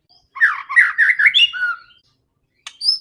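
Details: White-rumped shama in aggressive fighting mode, meant to provoke rivals, producing a dense burst of quick chattering whistles lasting over a second, then one sharp high note after a silence.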